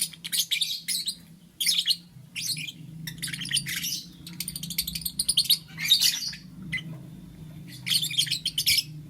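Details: Morning chirping from lovebirds in green, yellow and lutino colour forms: dense runs of harsh, high, buzzy chirps in bursts about a second long, separated by short pauses, over a constant low electrical hum.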